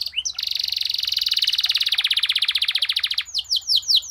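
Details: Canary song used as a training master: a long, fast buzzy trill of rapid repeated notes, then a run of loud descending whistled sweeps near the end.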